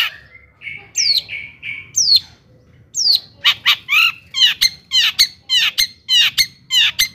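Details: Long-tailed shrike song used to provoke other shrikes into agitation and singing: soft warbled notes at first, then loud harsh downslurred squawks repeated roughly twice a second, growing steadier toward the end.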